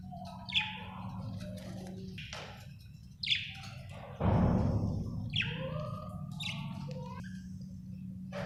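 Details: Happy budgerigar chirping: a run of short, bright chirps that slide downward, arriving roughly once a second, with a loud rustling burst partway through and a steady low hum underneath.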